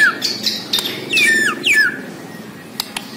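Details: White-rumped shama of the Borneo form, a caged singer, giving a few loud descending slurred whistles in quick succession, mixed with sharp clicks, before going quiet apart from faint ticks.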